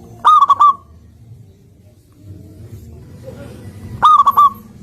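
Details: Energetic singing from a local zebra dove: a clipped phrase of four quick, bubbling coos, a quiet gap with faint background murmur, then the phrase repeated nearly four seconds later.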